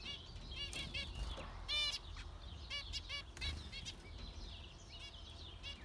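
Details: Zebra finches calling: short nasal, stacked-harmonic honks scattered irregularly, with faint high chirps between them and a low background rumble.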